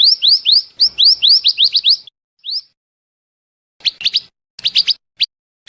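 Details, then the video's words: Trapping lure of a Scarlet minivet: a long rapid string of rising whistled notes, one trailing upswept note, then a scatter of short sharp chips. "suara pikat burung mantenan/merapi api dijamin langsung nyaut"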